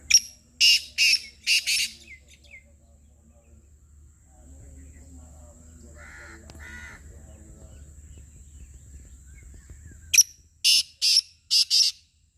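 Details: Black francolin calling: two bursts of loud, harsh, grating notes, four rasping syllables at first and five after a long quiet gap, each sharp and broadband, with a faint low hum underneath.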